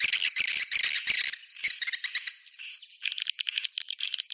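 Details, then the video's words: Swiftlet roosting call: first a rattling, crackling jumble of high chirps, then separate buzzy bursts about twice a second. Each burst carries a thin, level, high whistle. "Suara Inap Walet"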